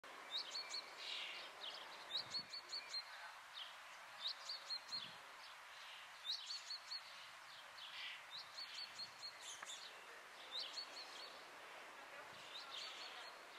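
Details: Common starling (Sturnus vulgaris) at Quiberon, France, in June 2020, giving bursts of high, clicking and chipping notes with a short rising whistle, repeated every few seconds.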